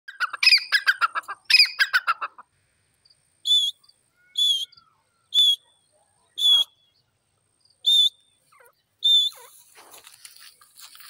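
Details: Grey francolin among flowers: a loud, harsh burst of rapid chattering notes for about two seconds, then six short, ringing, high notes with a slight upward inflection, spaced roughly one second apart, with quiet gaps between them.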